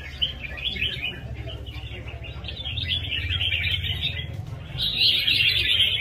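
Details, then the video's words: Red-whiskered bulbul singing in a rhythmic competitive fighting style: rapid bubbling warbles that run together, then grow louder and more continuous near the end, over a steady low hum. "CHÀO MÀO | CB với nết đấu nhịp nhàng"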